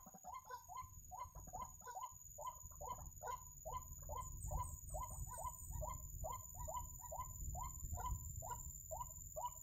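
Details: A waterhen in a trapping setting calls in a long run of short, hollow croaking notes, roughly two or three a second, each in a quick pair. A faint low hum sits underneath.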